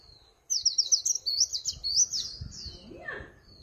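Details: Líu pha chòe song of a Swinhoe's white-eye, a very high, fast chattering warble of twisting notes running for about two and a half seconds and ending in a brief downward slur.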